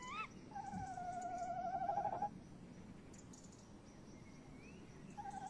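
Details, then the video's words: Tawny owl rolling call at a nest box, 21:45 on 30 May 2015, female close by; a short rising squeal then one steady quivering trill of nearly two seconds, followed by quiet and a second trill beginning. "Bosuil M in de kast V buiten uilen lang te horen"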